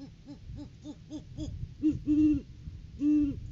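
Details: Great horned owl calling at the nest tree in courting season, filmed by a live nest cam on January 9, 2023. A rapid series of short low hoots runs into three louder, longer, drawn-out hoots.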